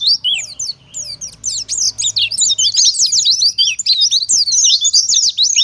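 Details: Lure song of Oriental white-eye in wild style, meant to make other white-eyes reply: rapid, high-pitched twittering with quick up-and-down slurred notes, running almost without pause and growing denser after the first second, over a soft low rumble.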